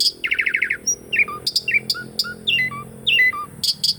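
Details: Asian pied starling song used as a lure to stimulate birds that have stopped singing: rapid buzzy chatter, then a run of whistled notes dropping from high to low, with sharp clicks between.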